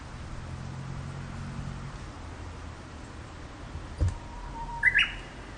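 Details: Japanese bush warbler singing among sunlit trees. A long, low, steady whistled note is followed by a quick flourish of higher, sharper notes near the end. A low steady hum runs through the first seconds.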